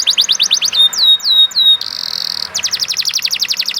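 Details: Canary singing a quick trill, a few descending slurred whistles, a steady buzzy tone, then another fast run of repeated downward-sweeping notes, over faint background noise.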